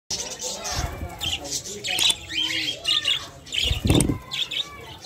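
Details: Exhibition budgerigars of the Hogoromo type chatter in quick, scratchy chirps and warbles, with people talking nearby.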